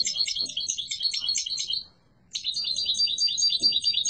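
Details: Yellow mutation European goldfinch singing strongly: dense, high, rapid twittering and trilled notes in long runs, broken by a brief silence midway, then resuming in a steady buzzy flow.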